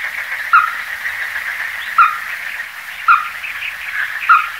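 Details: Ruddy-breasted crake calling: a single short, hard note repeated four times at intervals of about one to one and a half seconds, over a steady hiss of background insects.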